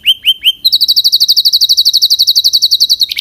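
A canary sings three rising whistled notes, then a fast, even trill of bright, high notes, about eight per second, with no other sounds.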